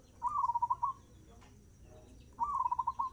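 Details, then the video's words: Zebra dove song at fast tempo, a kept bird of the Indonesian perkutut tradition: two low, warbling phrases, each a quick run of five or six fluttering coo notes around a steady pitch, separated by a quiet pause with faint background hum. "Suara perkutut gacor tempo cepat"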